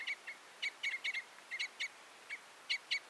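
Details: Red or Common Crossbill giving a loose series of sharp, clipped, high chip notes, about a dozen in three seconds, irregularly spaced, some doubled, over a faint steady hiss.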